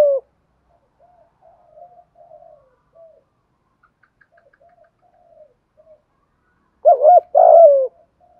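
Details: Spotted dove in thúc gù cooing, deep thổ voice. Faint scattered soft murmurs for several seconds, then a sudden loud pair of coos, the second long and falling away.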